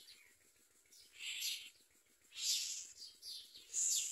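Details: A common myna, a parent catching crickets to feed its young at the nest, gives four harsh, hissing squawks, each under half a second, at a rough, uneven pace, over faint steady background ticking.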